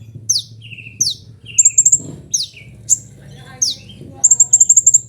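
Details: Kolibri ninja, a sunbird used as training audio for kept birds. Shrill downslurred notes with buzzy tails, then quick bursts of five or six ringing high chips, over a murmuring low background.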